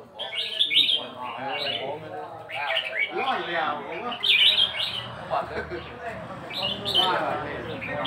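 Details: Red-whiskered bulbul song of the counted-phrase (nap dok) kind, with loud clear whistled phrases every second or two, mixed with human voices and crowd noise.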